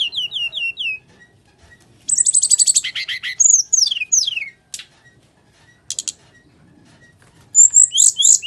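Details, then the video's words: Fighting-style song of a brown-chested jungle flycatcher, played to coax silent birds: four falling whistled notes, then a dense rapid trill, slurred whistles, scattered clicks and a final bright high burst. "SRDC Full Tarung GACOR"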